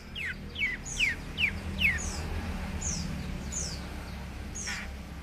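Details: A young long-tailed shrike, said to have fighting spirit, gives a series of thin, down-slurred whistled notes, about five in two seconds. Fainter high notes follow against steady low background noise.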